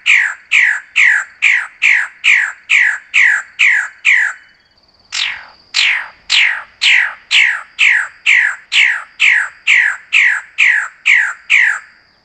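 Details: Magnificent bird-of-paradise calling in rapid, regular bursts of coarse descending squawks, roughly two per second, with one brief pause mid-sequence; a thin constant high tone is audible faintly throughout.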